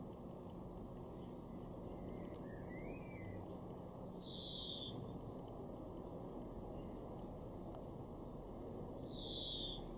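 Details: European greenfinch, garden bird in Weener, East Frisia, northwest Germany, May 2021: two drawn-out nasal wheezes sliding downward about five seconds apart, with brief soft twitters before the first, over steady background hum.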